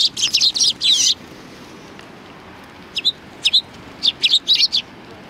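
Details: Sparrows approaching to be fed at a Tenmangu shrine, February 2020: a burst of loud jumbled chirps, a short pause, then thin quick single chirps in small groups.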